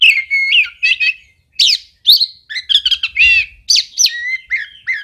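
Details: Oriental magpie-robin delivering a lively song of short varied phrases, chirps, buzzy notes and ringing whistles, roughly two a second, with a faint low rumble in the background.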